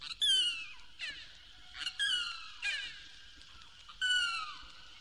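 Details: Limpkin in Florida, calling by day or night from cypress swamps and sawgrass marshes, 1969 record: loud, wailing, harmonic screams sliding downward, repeated every one to two seconds, like a person crying out in distress.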